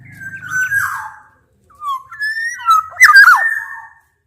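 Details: Black-naped oriole singing to challenge a rival, a mix of male and female Javan and Sumbawa birds: fluting whistled phrases near mid pitch, sliding and warbling, with a harsh nasal burst near the end; low hum at the start.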